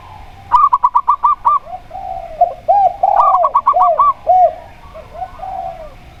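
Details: A local zebra dove gives two quick runs of short, bright staccato notes while a spotted dove answers with deeper, bowed coos repeated at steady intervals.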